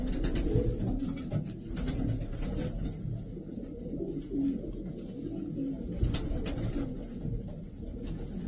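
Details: Racing pigeons in a loft, a dense overlapping chorus of low, throaty coos from several birds, with soft rustling and fluttering bursts through the recording.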